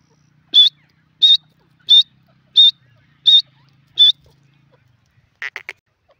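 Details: Grey francolin calling in the jungle: six loud, shrill, high notes repeated about every 0.7 seconds, each slightly wavering in pitch. A brief rattling, lower burst follows after a pause.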